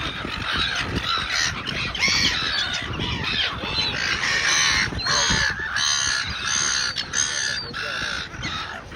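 Silver gulls give harsh, grating squawks in quick overlapping bursts, several birds calling at once with barely a pause between cries.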